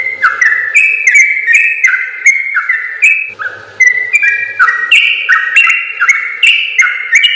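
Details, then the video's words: Yellow-vented bulbul in full, long rapid-fire song, used as a training recording for other birds: bright whistled notes stepping up and down in quick two-note pairs, nearly three per second, with faint low ticking behind. "suara burung trucukan gacor ropel panjang terbaik"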